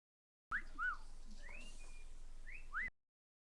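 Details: Pet cockatiel perched on a computer desk, giving a few separate clear whistled notes, some rising sharply, spaced over about two seconds in a quiet room.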